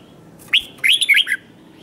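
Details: Red-whiskered bulbul singing competitively, a short single upslurred whistle followed by a quick tumbling phrase of bright warbled notes.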